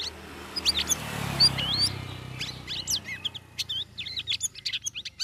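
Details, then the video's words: Busy twittering from a caged sooty-headed bulbul trained among other birds for three weeks. Dense series of rapid high chirps and squiggly whistled notes, repeated quickly and speeding up, against a rushing background noise. "CUCAK RAWIS NGERIWIK NGEPLONG"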